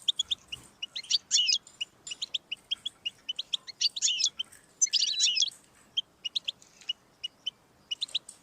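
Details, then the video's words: Sustained goldfinch song: rapid tinkling twitters broken by several dense, rasping buzzy trills, then a steady sequence of clear chirps. Played to encourage a pet goldfinch to sing. "Audiorecordings of the goldfinch to stimulate birdsongs"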